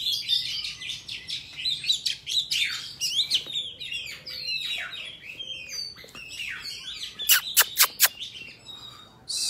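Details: Oriental magpie-robin giving a forest-type song, recorded for tutoring young birds. It has a lively sequence of varied whistles and scratchy twitters, followed near the end by a burst of sharp, evenly spaced clicking notes.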